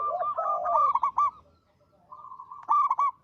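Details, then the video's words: Local zebra dove in full, active song, with a big, long, melodious voice: a fast run of clipped notes, a lower rolling purr, then a second quick run of staccato notes. "Perkutut lokal gacor suara besar panjang merdu"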